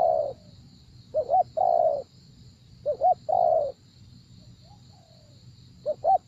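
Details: Cooing spotted dove during a trapping session: a long coo, then paired short notes each followed by a sustained falling coo, with a gap of near silence before another double note; low rumble and faint high whine throughout.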